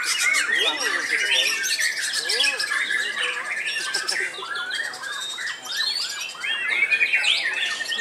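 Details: White-rumped shama, an old bird still actively singing loudly (gantang): dense, rich song of varied whistles, rapid chatters and sweeping notes, packed with overlapping phrases and little pause throughout.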